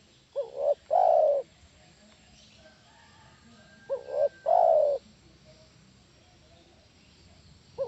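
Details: Spotted dove call used as a lure to make other doves answer; two cooing phrases about three seconds apart, each a short double coo followed by a longer, louder drawn-out coo, with a third phrase starting at the end.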